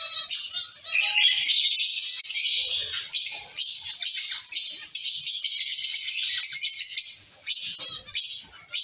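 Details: A caged colony of zebra finches keeps up a near-continuous stream of high, nasal, buzzy chirps, several birds calling at once, the chatter breaking into short separate notes toward the end.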